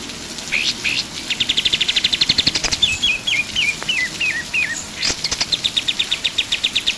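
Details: Pied triller in strong song: steady trill of quick high chips, a row of six stair-stepped falling whistles, then another long chip series to the end.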